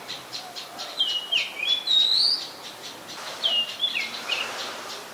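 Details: Adult common tailorbird, a common resident, recorded at Ubon Ratchathani, Thailand, on 3 February 2023: sharp, high whistled notes that dip and rise, given in quick repeated runs over faint rapid ticking.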